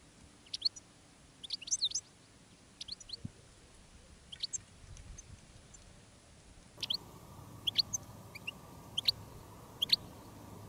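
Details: Goldfinches in the field, a decoy bird calling wild ones during silvestrismo; scattered bright, high chirps and short twitters spread steadily through the stretch over a faint background hiss.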